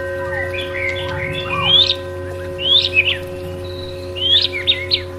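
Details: White-rumped shama song: bursts of rich, rapidly modulated whistles and chirps in short phrases with brief pauses, over steady droning tones and low hum.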